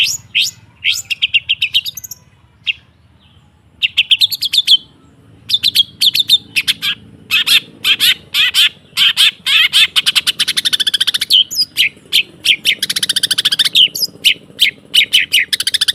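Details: Extended long-tailed shrike song for prompting kept birds to sing again. Dense rapid chatter and rattles run on with one brief pause, then grow into a continuous harsh, stuttering torrent.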